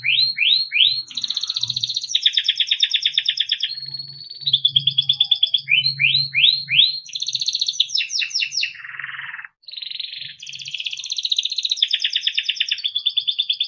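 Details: Singing timbrado canary, song for training: repeated groups of rising upslurs, long rolling trills, a short buzzy phrase and more trills, with a soft low hum in the background.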